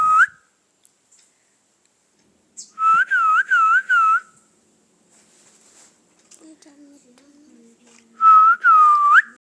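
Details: Parrot kept as a pet, talking "Mithu Mithu": two quick groups of four and three bouncy, whistle-like syllables, separated by a quiet pause with faint low murmuring.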